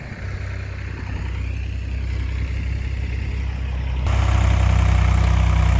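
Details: A vehicle engine idles with a deep, steady rumble that grows louder and rougher after about four seconds, as if revving; no animal sounds are heard.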